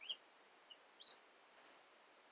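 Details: Female red-cheeked cordon-bleu, a kept bird, singing: short, thin, high chirps and buzzy notes in three brief bursts, the last loudest, in a quiet room with no other sounds.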